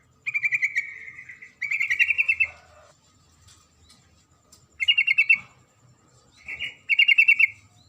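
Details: Calling female sooty-headed bulbul summoning a male: rapid beaded trills, the first two longer and run close together, then two more after a pause, against a quiet background.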